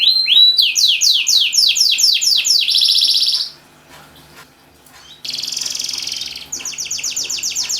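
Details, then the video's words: A canary in lively song to prompt silent canaries to sing: a rising whistle, a series of swooping notes, a buzzy trill, a silent pause, then a rolling trill and more swooped notes. "BURUNG KENARI GACOR // KENARI MACET LANGSUNG BUNYI"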